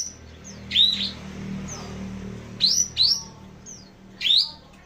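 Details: Cucak jenggot, known locally as kapas tembak, singing in a kicau-mania hobby setting: sharp, loud, bright upslurred notes given in pairs with brief thin whistles between, over a faint low hum.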